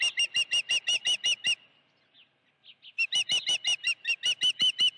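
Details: Osprey with a live fish at its nest, Dunrovin Ranch, 16 June 2019. Fast whistled chirps, a pause holding a few soft notes, then the sharp chirping series resumes.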